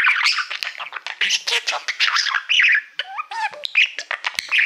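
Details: Pet male budgerigar singing to a shiny award plaque, as he loves mirrors; continuous chattering warble of rapid buzzy notes, clicks and short whistled slides, dense and unbroken throughout.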